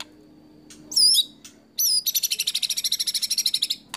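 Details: White-rumped shama in a judge-favoured mimicry routine: two loud wavering whistles followed by a fast, evenly pulsed high trill lasting nearly two seconds, with a faint low hum behind.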